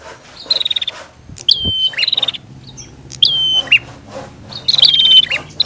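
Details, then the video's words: Bar-winged prinia pair, female and male, giving buzzy trills and sharp descending notes that settle into steady whistles, in irregular bursts with a faint low background hum. "Suara Prenjak betina VS Prenjak Jantan"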